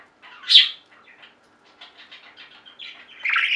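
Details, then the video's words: Pet budgies chirping indoors: one loud squeaky chirp, then soft rapid chattering notes and a louder scratchy warble at the close. "Most Beautiful Budgie songs Ever: Budgies singing and chirping"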